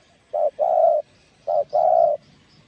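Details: Spotted dove coo for stimulating decoy doves: two paired phrases, each a brief note followed by a sustained, even coo, with faint high chirps in the background.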